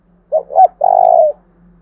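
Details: Lure call of a decoy spotted dove, its voice described as the thổ đồng style, used to attract wild doves: two quick soft coos, then a drawn-out rolling purr dropping in pitch at the end, over a faint steady low hum.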